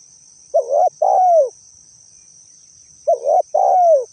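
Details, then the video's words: Lure recording of a spotted dove. Two matching phrases come about 2.5 seconds apart, each a quick wavering coo followed by a longer falling coo. A constant thin high whine continues in the background. "suara asli burung tekukur cocok dijadikan suara pikat"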